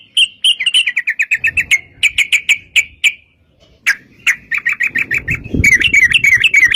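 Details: Yellow-vented bulbul singing a long rapid fighting song, used to lure other bulbuls into song: fast strings of short bright chips, about three per second, broken by brief gaps, with low rumbling noise late on.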